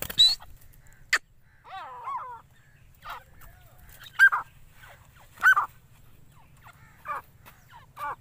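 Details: Four-month-old Dakni grey francolin fighter chicks give short, harsh, scratchy calls at uneven intervals, roughly every one to two seconds, with one brief warbling phrase, over a low steady hum.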